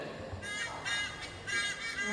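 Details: A White-bellied Sea Eagle, a bird of prey found wild in Singapore, gives three loud nasal honking notes about half a second apart during a bird show, with background music and crowd murmuring.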